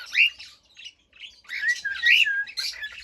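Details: Brief cockatiel phrase of an arched whistle, then rough chattering and a second looping whistle.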